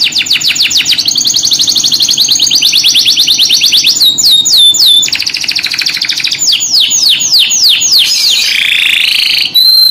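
A canary sings without pause: fast, high rolling trills, then a run of sharp down-slurred whistles and a buzzy rattle near the end.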